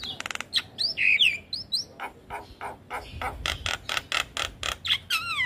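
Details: Javan myna singing vigorously, a recording meant to coach young mynas: a stuttering rattle opens, then looping whistles and a rapid series of loud, harsh, rasping notes, closing with a falling whistle.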